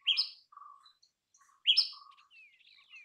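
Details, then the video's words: Two strong, sharp chirping notes from a common tailorbird, about one and a half seconds apart, each trailed by a soft low hum, with a thin descending whistle at the end. "Common Tailorbird Song"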